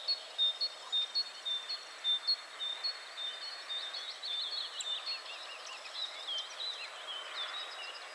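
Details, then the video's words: A Tree pipit sings in central Poland (51.950427, 20.118076): a high, thin series of repeated chipping notes, about two a second, running into faster, varied trilled phrases over a quiet background hiss. "Tree pipit / Świergotek drzewny"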